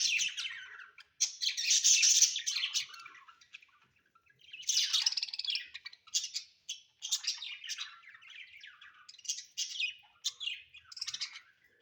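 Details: Pet budgies in a home chattering almost nonstop: rapid, scratchy, buzzy warbles and chirps in uneven bursts throughout.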